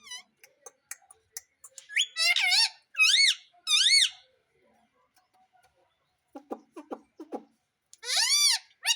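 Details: Pet Indian ringneck parrot talking, repeating 'mummy', heard as loud wavering squawked syllables in bursts of about half a second, with short clicks and chirps between them and a long quiet stretch.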